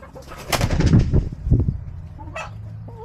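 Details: Backyard chickens on March 18, 2024, fed leftover fries, Mexican food and spinach. Loud, low, rough clucks in quick bursts in the first second and a half, then quieter scattered calls and a short higher note near the end.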